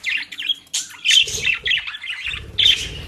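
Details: Pet budgerigars in the Den Haag region of the Netherlands, offered dry leaves and grass; harsh squawks and warbling chirps come in quick bursts, with low rustling and knocking underneath.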